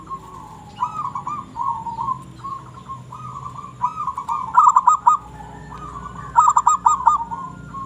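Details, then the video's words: Actively singing local-breed zebra dove gives a run of short, wavering coos that build into two fast, bright stuttering trill bursts near the end. "burung perkutut lokal gacor corr"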